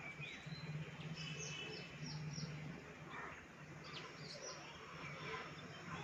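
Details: Baya weavers visiting a balcony in the monsoon: faint, high, downward-sweeping chirps come in a short series, then scattered thin notes, against a steady low hum.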